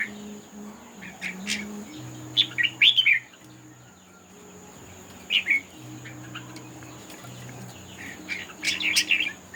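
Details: Red-whiskered bulbul in a singing contest, delivering clustered whistled and warbled phrases in three bouts separated by quieter gaps, over a steady faint high hum and low background murmur.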